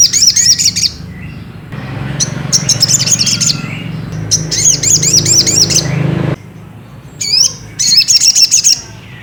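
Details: Ruby-cheeked sunbird song meant to provoke another bird to sing: several bursts of rapid, high-pitched repeated chirps, each about a second long, separated by short gaps, over a steady low hum in the middle section.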